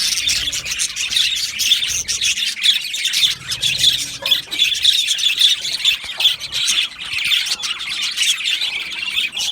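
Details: Budgerigar colony in an aviary, 12 July 2025: continuous shrill chirps and squawky chatter from many birds, pulsing in loudness, with a low rumble underneath at times.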